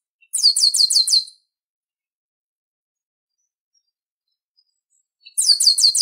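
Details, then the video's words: Chestnut-capped blackbird, or garibaldi, delivering two loud bursts of five or six sharp, evenly spaced high notes, separated by four seconds of silence. "CANTO DO GARIBALDI - papa-arroz, xexeu-de-lagoa, rinchão"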